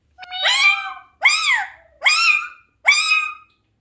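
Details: An Alexandrine parakeet mimics a cat's meow four times in a row, about once a second. Each call is a nasal, harmonic wail that rises and then slides down.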